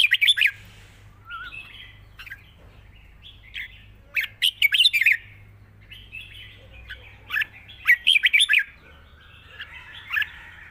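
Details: Red-whiskered bulbul giving a 'wild song' with long phrases and a light touch: lively, fast bursts of clear warbled notes and sharp chirps in quick succession over a faint steady low hum.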